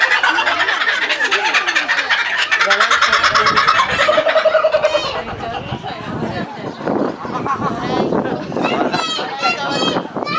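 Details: Laughing kookaburra at Higashiyama Zoo, captive, cackling in fast rattling bursts that swell then break up into scattered hoots and chuckles as the laugh winds down, with other voices and noise behind.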